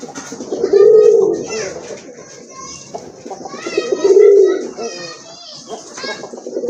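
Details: Pigeons in a farm collection at Kashimpur, Gazipur, Bangladesh, giving low rumbling coos roughly three seconds apart while people talk nearby, over steady hiss.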